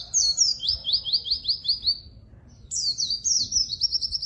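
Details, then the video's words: White-eye singing keenly, used as a lure and master song: high twitters sliding into a rapid series of repeated falling notes, a pause, then the same pattern again. "burung pleci gacor!!! efektif untuk pancingan dan masteran pleci yang malas bunyi"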